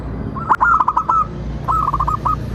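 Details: Lure song of a local zebra dove, used to prompt other doves to sing and reply: two quick runs of soft, stuttering, rolling coo notes, the first louder, over steady low background hum.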